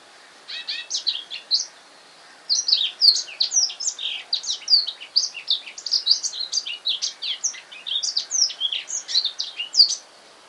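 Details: Male black-throated canary at home after purchase that afternoon, a long run of fast high, sweet twittering song with varied rising and falling notes, after one brief opening burst.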